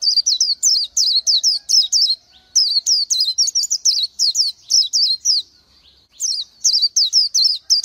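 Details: Continuous high-pitched twittering from an Oriental white-eye: sharp, slurred notes that fall and curl, strung rapidly together with a couple of short breaks.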